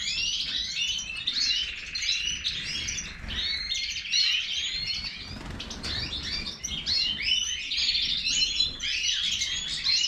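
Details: A Major goldfinch pours out ten seconds of dense, unbroken twittering. Quick chirps, trills and little whistled slurs crowd together in a steady jingling stream.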